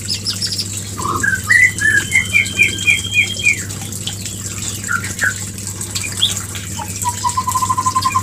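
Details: Mating call of a white-rumped shama, aimed at a female not yet in breeding condition: a rising series of about ten quick chirped notes, a pause with a few isolated calls, then a fast even trill, over constant hum.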